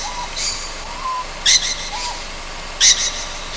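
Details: Young Ryukyu scops owl at night on Amami Oshima, with rasping hissy calls about 1.4 seconds apart and faint short whistled notes in between.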